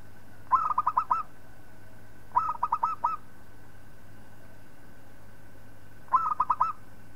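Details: Singing local zebra dove used as a master for other birds, giving three brisk phrases of five or six rippling coos, the gaps between them irregular, against a constant faint hum.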